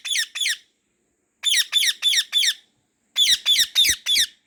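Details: Pet white ringneck parrot in a garden giving grating shrieks in clusters of two, four and five, with gaps of nearly a second between the clusters.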